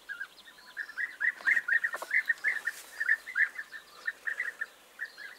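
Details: Loud, close European bee-eaters on 29 May 2021 calling almost continuously. Rolling liquid notes repeat several times a second for over five seconds, with a couple of soft thuds in the middle.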